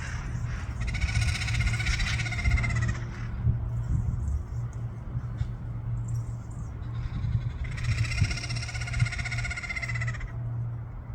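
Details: Harsh, buzzy screeches from wild parrots at the Saturn Steps, San Francisco: two drawn-out rasping calls about five seconds apart, each lasting two to three seconds, with a constant low hum of traffic underneath.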